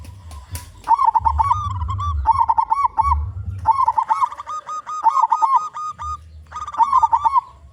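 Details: Local zebra dove with a loud voice, offered as a lure for all kinds of zebra doves: phrases of rapid, rolling, stuttering coos, each ending in a steady trill, repeated four times with short pauses and a faint low rumble beneath.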